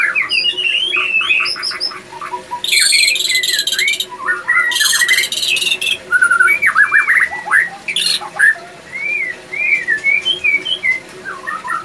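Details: Male white-rumped shama in breeding condition; harsh buzzy bursts mixed with fast whistled runs, then a sequence of short rising notes repeated at a steady pace.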